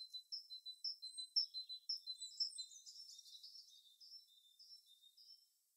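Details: Birds in their natural habitat: a steady train of high paired chirps, about two per second, overlapped midway by a busier twittering burst, then fading to softer notes.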